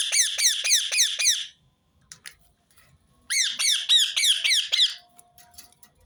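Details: Rose-ringed parakeet calling in a repeated recording meant to set other birds singing: two bursts of harsh, arched screeching notes at about four per second, six notes and then eight, separated by a short quiet gap.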